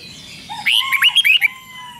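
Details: Red-whiskered Bulbul in a cage giving 'rik'-style song, used to rouse other birds: one lively phrase of about six clear, slurred whistled notes in under a second, opening and closing with a lower steady whistle.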